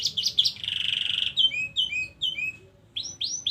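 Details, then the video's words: Canary song fragment: a few high chirps, a brief fast buzzy trill, then a series of short descending whistled notes and two rising sweeps after a pause. "burung kenari ngerol panjang"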